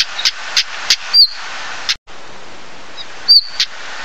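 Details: Stonechat (Saxicola torquatus) calling: two thin, high, downslurred whistles separated by sharp, dry clicking ticks, plus a brief silent gap midway; steady faint background hiss.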